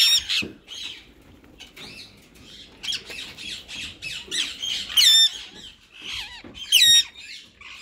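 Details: A white male rose-ringed parakeet with a green companion, described as in talking mode, keeps up nearly continuous scratchy chatter, broken by a few loud, piercing squawks.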